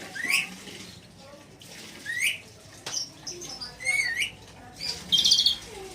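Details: Red lory with a series of harsh, rising squawks at irregular intervals, one longer wavering screech, and a final grating burst, with softer chatter and low noise between calls.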